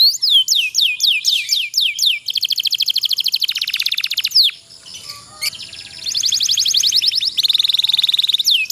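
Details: Canary song with a long roll, played to spur sluggish canaries: sweeping whistles, then a rapid buzzy trill, a short quieter gap, and more dense, fast trilled rolls.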